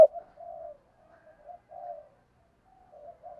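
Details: Spotted dove cooing, used to spur fighting (2022): soft, low, hollow coos in short phrases, several notes spread across a few seconds, with a quiet background.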